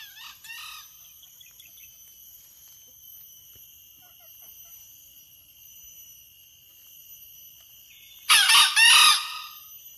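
A junglefowl gives a short, harsh, clipped crow lasting about a second near the end, after a brief call at the start, over a steady high insect drone.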